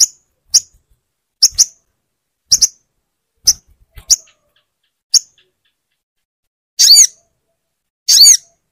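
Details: Crimson sunbird calls for stimulating a silent bird: sharp, very high single and paired chips spaced about a second apart, followed by two longer, harsher buzzy bursts.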